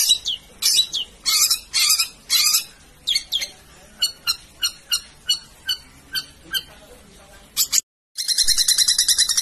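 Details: Cendet or long-tailed shrike giving a master-song sequence meant for tutoring cage birds: a series of separate sharp, scratchy high notes spaced irregularly, a short silent break, then the start of a dense grating, pulsed chatter.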